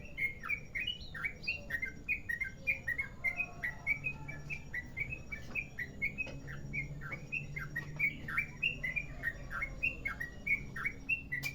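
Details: Merapi-type yellow-vented bulbul in a long rapid ropel song, a steady run of bright, sharply slurred chirps repeated about twice a second, with a low steady hum beneath.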